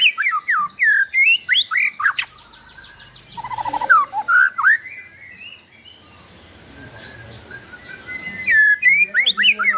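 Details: White-rumped shama in the balak 8 song style, used as a lure to get shamas that have stopped singing to sing again: rapid, varied whistled notes and chattering trills, a pause, then a fresh burst of sharp high notes.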